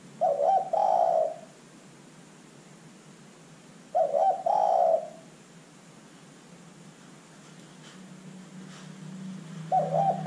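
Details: Lively spotted dove used as a calling lure, giving low, soft coo phrases of a quick double note and a longer rolling coo, repeated roughly every four seconds, a faint low hum creeping in near the end.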